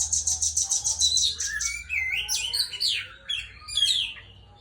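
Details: Oriental magpie-robin singing steadily in the afternoon, played as a lure to make other birds sing. The song opens with a fast run of repeated high chips, then shifts into varied whistled slurs and twitters, over a low steady hum.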